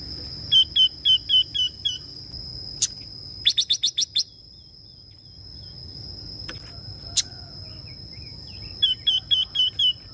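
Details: Female red-billed leiothrix, said to be very lively and very good at stimulating males, giving quick runs of short, sharp high chirps, about five per burst, with pauses between. A steady high ringing tone and a few clicks run throughout.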